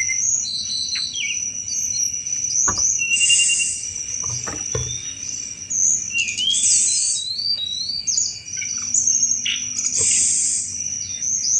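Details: Sunda robin singing hard in cetrekan chattering style, used to lure all kinds of thrushes: repeated loud buzzy rattles alternating with high whistled slurs and twitters, a few dull thumps, and a steady high whine throughout.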